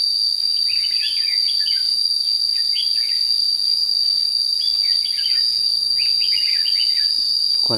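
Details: Red-whiskered bulbul, a decoy singing a fighting song during bird trapping at Thanh Liêm on 29 May 2016: short bright warbled phrases in repeated bursts over a loud steady insect drone, with a thump at the end.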